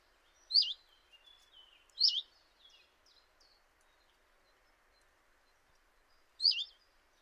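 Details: Common chiffchaff at a kitchen window in Eibar, early March 2018: three short, high, wavering upslurred notes, two close together then one after a four-second pause, over faint background hiss.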